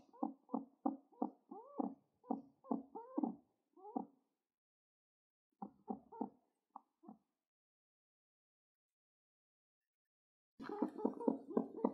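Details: A happy pet pigeon, twitching its wing while being petted, gives rapid runs of short, low, hollow notes, about three per second, pausing and then resuming in a denser, rougher burst.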